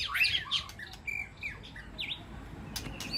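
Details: White-rumped shama calling to its flock inside an aviary sanctuary: a loud burst of varied whistles and chattering sweeps at the start, then sparser clear whistled notes, including a dipping slurred whistle, over soft background hiss.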